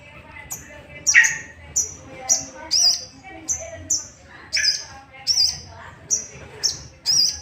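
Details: Sooty-headed bulbul lure sound to trigger singing in other bulbuls; bright high whistled chirps spaced under a second apart, one loud lower harsh note early, gentle background noise.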